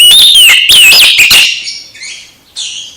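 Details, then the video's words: Oriental magpie-robin song played to revive a sulking magpie-robin's singing: loud, scratchy, overdriven whistles with swooping slurs for over a second, then two faint short notes. "Kacer MBAGONG langsung GIRAS lagi setelah dengar KICAU Kacer ini"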